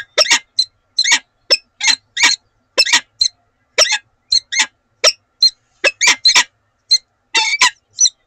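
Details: Morning conversation of a wild peregrine falcon pair at Oudenaarde, Belgium, 7 March 2020: a steady run of harsh clipped chips, often doubled, about two per second, with no background sounds.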